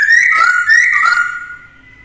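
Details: Black-throated laughingthrush kept caged, singing to train a young bird. Loud, pure whistled notes wobble up and down twice, then fade to a quiet, sustained tone.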